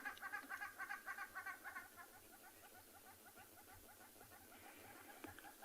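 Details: Hornbills call off to the left at sunrise near a dam in Tswalu Kalahari Reserve, South Africa, on 29 June 2020: a fast run of hoarse, clucking notes, three or four a second, fading into a quieter steady series.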